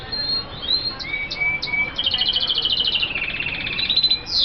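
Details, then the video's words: Twittering song of F1 hooded siskins from Colombia: scattered high chirps and thin slurred whistles, then a fast buzzy trill that runs steadily and ends in a sharp rising note. "Kaputzensijs F1 (Sound) Guadeloupe 1, ( sound of the kaputzensijs birds)"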